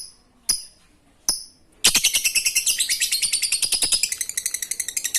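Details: Lovebird, used to coax lazy lovebirds into song: two isolated sharp chirps, then a rapid, unbroken 'ngekek receh' chatter of shrill, scratchy notes lasting over three seconds.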